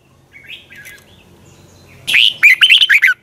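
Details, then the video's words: Morning song of a red-whiskered bulbul in the long twisted double-voice style, recorded in 2020 for training birds: faint warbled notes at first, then one loud rapid phrase of looping, slurred whistles near the end. "Luyện chào mào hót sáng 2020 Giọng kép xoắn dài"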